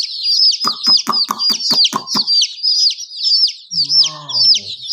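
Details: Baby chickens keep peeping in shrill falling notes; quick sharp taps sound at the start, and a low drawn-out voice is heard toward the end.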